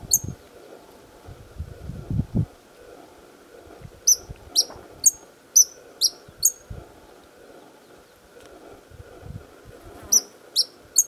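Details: White-vented violetear (Colibri serrirostris) at Chapada Imperial, DF, Brazil, singing from its perch to defend the flowers of its territory: sharp, high metallic chips about two a second in two short runs, over low thumps and faint rural hum.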